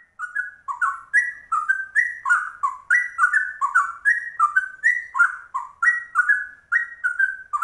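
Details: A rare trucuk, a yellow-vented bulbul, singing a rapid ropel in the style of the straw-headed bulbul: short whistled slurs dipping and rising around a steady pitch, delivered in a fast, unbroken chain of about three notes per second.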